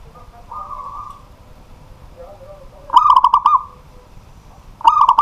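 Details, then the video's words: A local zebra dove sings at night, a pet bird in full voice; a soft, distant coo opens, then a loud stuttering phrase of quick ringing coos, with a fresh phrase starting right at the end. "BURUNG PERKUTUT LOKAL GACOR DI MALAM HARI"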